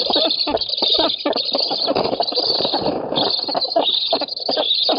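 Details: Black storks competing for fish on their oak nest in Poland, 7 August 2018. Shrill, grating squeals are delivered almost continuously, with rough, rapid pulses and a brief dip near the third second.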